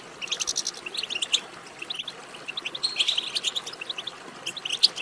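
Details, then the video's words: Goldfinch twittering meant to excite a goldfinch into song: clusters of bright, high chirps and short buzzy trills, broken by brief gaps, with a sharp high note near the end. "بتبتة ماهرة في تحفيز الحسون على التغريد"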